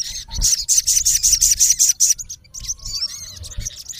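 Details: Male olive-backed sunbird calling a rival: a fast, very high, even string of about a dozen sharp chips over two seconds, then softer twisting high notes.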